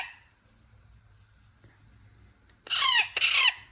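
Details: Parrot chick letting out two loud, rasping squawks in quick succession near the end, over a faint low hum.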